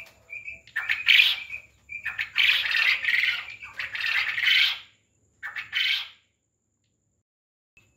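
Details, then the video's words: On a quail farm, a chirp or two lead into several loud, scratchy, rattling calls in close succession, then one shorter rasp and near silence. "Quail Voice||Batar ki Awaz"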